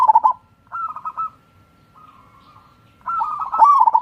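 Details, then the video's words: Zebra dove, local wild-type bird, used to prompt lazy birds to sing: short bursts of soft, rapidly trilled cooing notes, a phrase at the start, another near one second, then a longer trilled run after a quiet gap. "SUARA BURUNG PERKUTUT"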